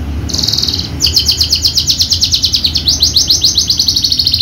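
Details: Horsfield's bushlark of the javanica type, a contest bird with a full song repertoire that has won singing competitions. After a short high buzzy opening, it pours out a fast steady run of sharp repeated chirps, many per second, over low background hum.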